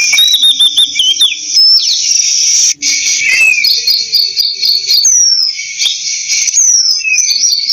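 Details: Oriental magpie-robin song of quick whistled trills and slurred notes, then a few sweeping downward whistles, all set against a constant loud shrill insect chorus.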